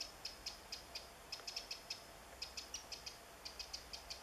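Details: Wren in the woods on 27 July 2014, foraging for insects, gives faint high clicking ticks in loose groups of two to four, steady background hiss.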